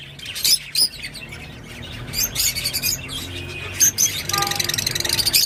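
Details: Rosy-faced lovebird singing: scattered sharp high chirps and squeaks, then a rapid buzzy pulsed chatter in the last second, with a faint low hum beneath.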